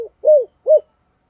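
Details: Spotted dove of the 'thổ' voice style calling to lure wild doves: two soft, hollow, slightly arched coo notes about half a second apart.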